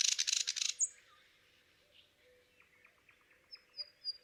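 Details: A thrush nightingale in Palupõhja, Estonia, opens with a loud burst of dry, rapid clicking rattles, then adds a sharp high whistle, soft chuckling notes and thin piping whistles.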